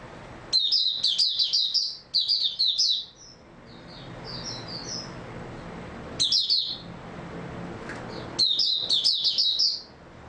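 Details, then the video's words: Oriental white-eye singing, recorded 3 March 2022: high, rapid twittering phrases of slurred chirps, each burst lasting one to one and a half seconds, separated by pauses with a few softer notes between; faint background hum. "Mata Puteh Raja Video 2 buka sing tiong aw"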